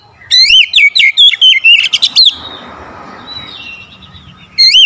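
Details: A fast run of loud, looping whistled notes from an oriental magpie-robin, a kept bird described as reluctant to sing, ends abruptly in a long quiet stretch with faint hiss before a final short burst.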